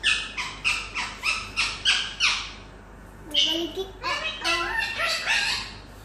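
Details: Talking green-necked parrot, a rose-ringed parakeet, kept as a pet: a run of about eight sharp, evenly spaced squawks, then a short pause and a burst of harmonic, speech-like chattering syllables.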